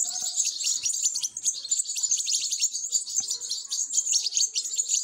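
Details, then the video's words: Fed European goldfinch chicks producing a frantic, high-pitched twittering of rapid overlapping chirps throughout, with faint low rustling below. "تزقيم فراخ الحسون"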